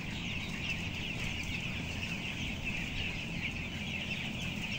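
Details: Fourteen-day-old broiler chicks housed in a closed barn of 11,000 birds, upper floor: dense unbroken high-pitched cheeping from many birds, with a continuous low rumbling background drone.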